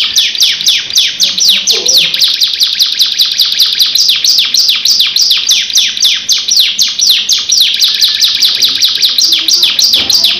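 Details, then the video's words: Canary pours out a long rolling song, a continuous fast stream of high, downward-sweeping notes, several per second, unbroken for over ten seconds. "KENARI GACOR NGEROL NEMBAK DURASI PANJANG | CANARY SINGING"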